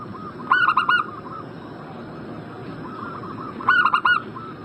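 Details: Zebra dove lure call for a bird in breeding condition: a loud staccato phrase of four ringing coos, a gap filled by fainter dove cooing, then the same phrase repeated about three seconds later.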